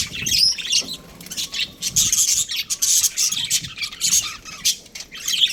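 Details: Busy high chirping from a budgerigar breeding pair: short scratchy notes and whistled squeaks in clusters, rising and falling in loudness about twice a second.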